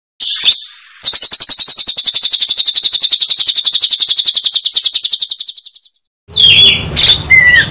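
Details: White-rumped shama roused to fight, a fast dry rattle of about 3.7 notes per second held for five seconds and fading out, after a short chirp, then a burst of sharp whistled notes at the end.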